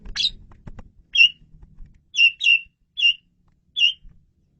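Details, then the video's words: Loud, clear Asian pied starling song for luring birds: a sharp first note followed by five short, bright whistled chirps at uneven intervals, otherwise quiet background. "SUARA JALAK SUREN RAJANYA MP3"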